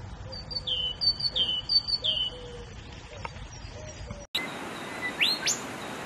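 A bulbul gives short, clear whistled phrases, repeated about three times in quick succession. After an abrupt cut come brighter rising notes against a steady hiss.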